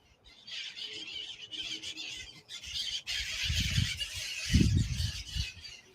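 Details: A flock of parrots arriving in San Diego, USA, gives a dense stream of harsh, overlapping squawks, with low rumbles of wind or handling noise partway through.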